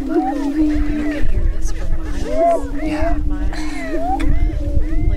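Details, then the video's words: Spring mating dance of Greater prairie-chickens on a lek near Crookston, Minnesota, April 27, 2013: unbroken low moaning hum with frequent bending whoops, clucks and cackles from several birds, gusty wind in the background. "Dancing With The Prairie Chickens"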